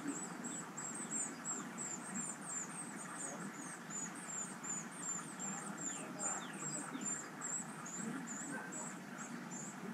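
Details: Hungry great tit nestlings being fed by their parents keep up a thin, very high squeaking, two or three calls a second, over a steady low rushing background noise.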